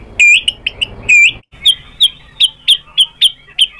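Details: White-rumped shama provoked into replying: a few loud whistled phrases, then a steady run of short, clipped notes repeated a little over once per second.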